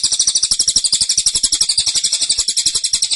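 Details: Unbroken three-second stretch of a caged cililin's tight, forceful tembakan song: quick, bright, high-pitched notes tumbling out around four each second.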